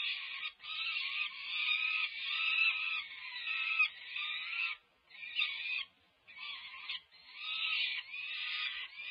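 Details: Begging peregrine falcon chicks aged over five weeks at a feeding on the UC Berkeley campus, California, 18 May 2023, close to fledge day; rough, wavering screeches in long bursts with short pauses.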